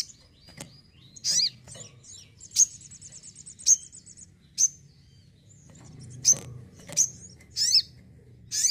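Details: Crimson sunbird kept at home in lively song, delivering scattered very high, sharp ticks and squeaks with a brief thin trill, separated by pauses; soft low background rumble.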